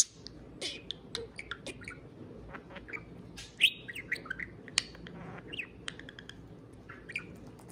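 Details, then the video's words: Caged pet parakeet warbling to a can of beer, a quieter run of chattering chirps, clicks and brief whistled slurs with small pauses between bursts. "Pixel the Parakeet Talks + Kiwi serenades a can of beer"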